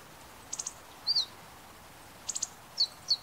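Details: Meadow bunting captured with a compact camera: a quick triple of high ticks, a thin arched note, then another triplet and two brief slurred chips, over faint even hiss.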